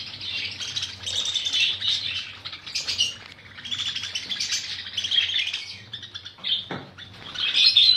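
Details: A throng of budgies squawks and chirps in surging waves, some sharper whistled notes cutting through, with a faint low hum beneath.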